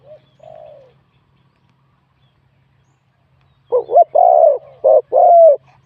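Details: Spotted dove, a wild bird singing in a competition, with a medium-to-large voice style. A short, faint coo comes first, then a loud burst of rough, bubbling coos packed closely together in the last two seconds.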